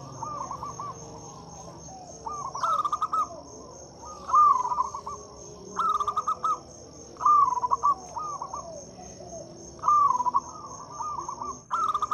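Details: Local zebra doves, kept birds, singing as a lure to prompt quiet or silent doves to sing: bursts of rapid, vibrating cooing notes around the same pitch, repeated every one to two seconds, with several birds overlapping and a steady high electrical whine behind.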